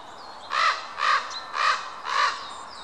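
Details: Common ravens meeting on a larch near Krasnoyarsk in May 2013; one gives four harsh, hoarse croaks, each about a quarter second long, spaced roughly half a second apart, over faint background hiss.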